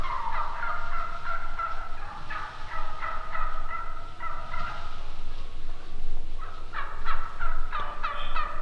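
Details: Wild turkeys calling in runs of quick, repeated notes, pausing briefly near six seconds before another fast burst of yelps that climbs slightly higher.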